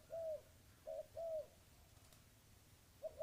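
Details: Dove giving a few low, arched coos, a short note followed by a longer one, then a pause before another begins; quiet background with a brief click.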